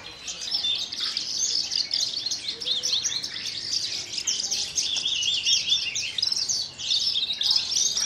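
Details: Kulon Progo Branjangan lark, a captive bird that hovers and then sings from a perching stone with wings quivering, delivering a rapid, unbroken torrent of bright twittering, chirps and short trills, with a brief dip near the end.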